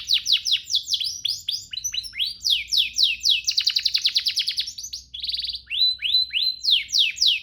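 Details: Canary singing a master song used to train other canaries: varied high whistled notes sweeping downward, dense rattling trills in the middle, then a pure repeated chip series and more falling whistles.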